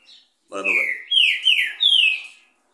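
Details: A green-winged saltator, recorded around 10 a.m. on a Monday, gives a loud, rich burst of song: a harsh opening note, then three clear slurred whistles that swoop down and rise again.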